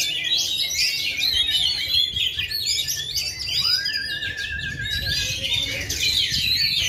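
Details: Caged Oriental magpie-robin with a leg ring, Indonesia, still singing at full power despite two and a half years without moulting; dense high chattering and trilled notes, broken by one clear lower drawn-out whistle midway, then more busy twittering.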